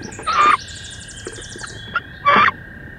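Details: Two female wood ducks battling in a nest box on 16 May give two loud, harsh squealing calls, with faint knocks between them and a constant high electronic tone behind.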